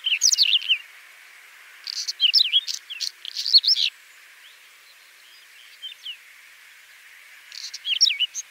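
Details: Whinchat song: three short bursts of rapid, scratchy, twittering notes mixed with sharp clicks. The bursts come a few seconds apart, with quiet pauses and a few thin notes between them.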